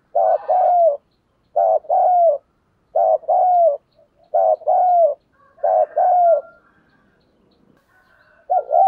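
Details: Decoy spotted dove calling to lure wild doves: five loud, mellow phrases of quick coos ending in a bending note. A quieter murmuring stretch follows, then one more phrase at the close.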